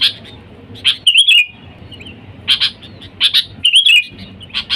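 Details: Wild-bird lure sound of a sooty-headed bulbul: bright chirps and two brief liquid warbled phrases separated by quieter gaps, with a soft low hum underneath.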